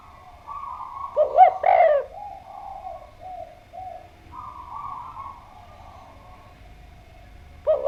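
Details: Spotted dove, known locally as derkuku or tekukur, recorded in Indonesia as a lure song: one phrase of low hooked coos and a rolling coo near the start, then quieter distant cooing and a new phrase starting at the end.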